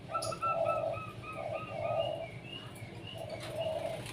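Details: Kept Zebra dove sunbathing in the morning repeats soft rolling coos, short then long, while another bird nearby whistles a rapid series of thin, clear notes over it. A few sharp chirps are also heard.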